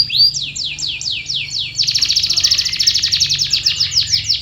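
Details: Song of a canary used to coax silent canaries into singing: six looping downslurred whistles, then an abrupt switch to a fast, rich, buzzy rolling trill that continues to the end.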